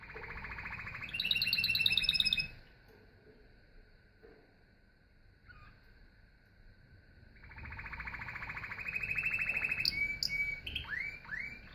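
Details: Canary singing: a rapid high buzzy trill, a long pause with only faint low hum, then another fast rattling trill that ends in bright upward-sweeping whistled notes.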